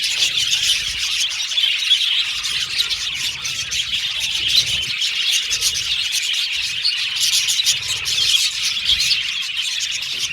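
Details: Budgerigar colony in a cage, birds singing, chirping and playing; continuous high twittering chatter with quick repeated chirps throughout, many parakeets calling at once.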